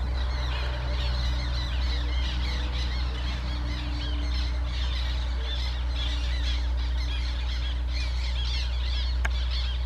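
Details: Black terns at Łąka reservoir, Poland, on 14 May 2021: a busy chorus of squealing, squawking calls overlapping throughout, over a steady low hum and noisy background.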